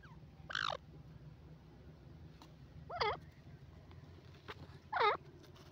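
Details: Grey francolin, known locally as dakhni teetar, giving three loud harsh harmonic calls spaced about two seconds apart, each with looping, wavering notes, over faint low background rumble.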